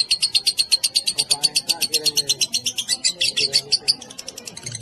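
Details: Lovebird ngekek, the long chatter song, used as tutoring material for other lovebirds: an unbroken string of piercing high chips at a rapid, slightly uneven pace, softening near the end, over faint low background noise.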